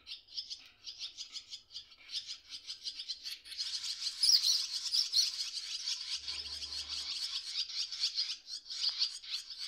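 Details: Baby swallows in a nest, with parents nearby (one briefly approaching, the other on wires), give a dense, high, rapid chatter of overlapping twittering notes that swells louder halfway through as the begging intensifies.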